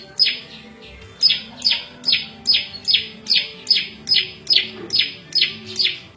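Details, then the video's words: Small prinia known locally as prenjak lumut, sung as a varied song used for tutoring cage birds and luring wild ones: bright, sharp notes sweeping down from high to mid pitch, repeated over two per second in a steady series. "Suara Variasi prenjak lumut cocok buat masteran&pikat burung liar"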